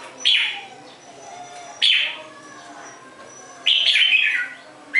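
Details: Red-whiskered bulbul giving loud, chirpy warbled phrases, each under a second long, separated by quiet gaps of one to two seconds, over soft steady background noise.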